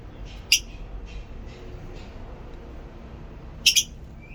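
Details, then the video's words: Lovebirds chirping: two sharp, very high, brief chirps, the second a quick double, separated by about three seconds of faint squeaks over steady room hiss. "love birds sounds"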